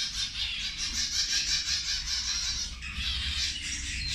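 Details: Zebra finches feeding at lunchtime produce a dense, continuous chatter of thin, high, nasal calls that blur together, over a steady low background rumble.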